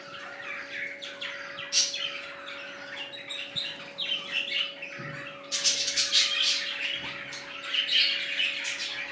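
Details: A new colony of budgerigars, including red-eyed birds, chattering together: dense, high, scratchy chirps and squawks that swell after the midpoint, with wing flaps and a steady low mechanical hum underneath.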